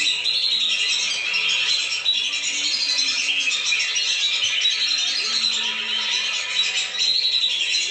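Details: Lure recording of lesser whistling ducks used to bring them down, filled with a constant mass of shrill overlapping whistles from many birds, with faint lower tones underneath.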